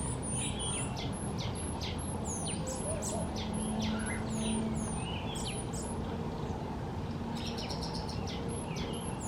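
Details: Southern black flycatchers in a garden giving thin, very high, squeaky whistles, short notes repeated in quick bursts, over a steady low rumble of distant traffic.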